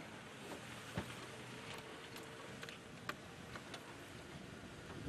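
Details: Low vehicle rumble and wind noise at sunset on a safari drive, broken by a few sharp knocks and clicks, with no animal calls.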